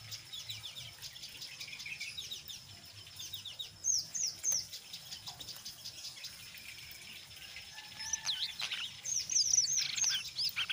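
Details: Brown jongkangan in ngeriwik song mixed with ngeplong, meant to prompt other jongkangan to sing: soft, steady high twittering with louder bursts of sharp whistled slurs and chips near the middle and end.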